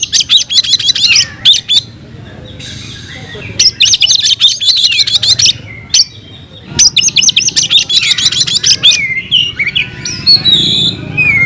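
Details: Fighting song of an oriental magpie-robin (kacer): three energetic bursts of rapid, harsh, buzzy notes and trills separated by short gaps, ending with clear varied whistles.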